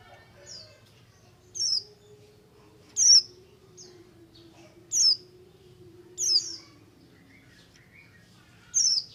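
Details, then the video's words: Oriental white-eye giving buxtomi ngalas song meant to prompt other white-eyes into singing: single sharp, very high descending notes spaced about every one to two seconds over a low constant hum. "BUXTO NGALAS, untuk merangsang pleci ombyokan agar cepat ngriwik"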